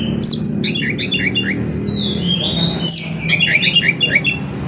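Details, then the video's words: Oriental magpie-robin in 'konslet' filler song, used as a lure for other kacer to sing: a sharp high note, rapid chattering, a long smooth whistle, another piercing note and a fast twittered sequence, with faint hum below. "CUKUP DENGAN SUARA KACER INI, KACER LAIN JADI GACOR ISIAN KONSLET"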